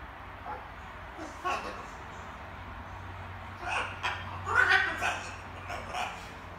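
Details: A small pet macaw babbles indoors in the evening while practising various words. Scattered short, raspy, speech-like syllables come in loose bursts over a steady low hum, with quiet gaps between them.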